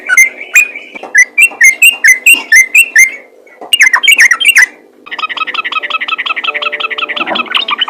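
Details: Yellow-vented bulbul calling to other bulbuls, which answer: a run of short, sharp whistled notes about two per second, a brief pause, a tighter burst of notes, then a rapid, buzzy stuttering chatter to the end.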